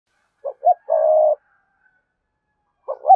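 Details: Spotted dove of the cườm sa type cooing, used to prompt cooing: two short soft notes, then a long steady low coo, followed after a pause by another pair of short notes.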